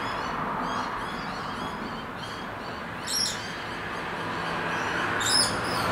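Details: Two scaly-breasted lorikeets in Brisbane give two harsh, high screeches about two seconds apart, over a steady hum and faint twittering from other birds.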